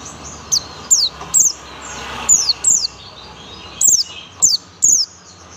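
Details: Young Oriental white-eye of the buxtoni type singing in tembakan style: very high, thin, sharply falling whistled notes given singly or in pairs, about eight in five seconds, over a faint steady hum.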